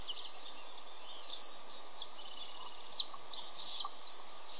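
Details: Osprey chicks at the nest as the adult male arrives with a small fish, both chicks charging to grab it; thin, rising-then-falling whistled squeals repeated in bursts about every second, over steady background hiss.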